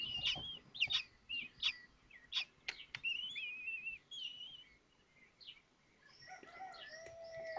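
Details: Common kestrel chicks in their Théding nest on 19 May 2024, during the hatching of the fifth chick and the others' meal: a run of high, sharp chirps and wavering thin whistles, then softer mixed calls over a faint hiss.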